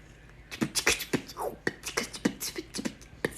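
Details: A 19-year-old female Congo African grey parrot strings together quick clicks, pops and short voiced syllables, about three or four a second, in a beatbox-like burst of mimicry indoors.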